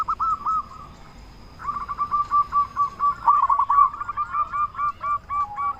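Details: Local zebra dove, a loud-voiced, actively singing bird, used as a lure to provoke other doves into answering. It gives long rapid runs of short, mellow, arched cooing notes, with overlapping series that quicken and then tail off.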